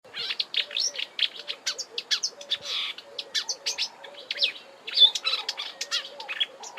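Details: Marsh warbler singing at Kap River Nature Reserve, Eastern Cape, South Africa, in March: a fast rambling warble of rapid varied high notes with repeated phrases and mimicry, a faint lower chirping repeated in the background throughout.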